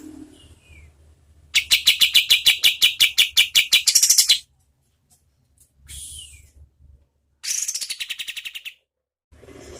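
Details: Oriental white-eye, local name kapas tembak, giving a loud series of rapid high chirps that ends in a bright flourish, then soft whistles and a shorter chirp run; tutor audio for training competition birds.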